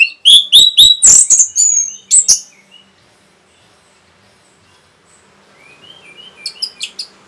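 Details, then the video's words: Rapid song of an Orange-headed thrush meant to provoke other birds: a quick series of repeated clear whistles and sharp high notes over about two seconds, then quiet rustling and soft, higher chirps. "SUARA RAPET ANIS MERAH BIKIN EMOSI BURUNG"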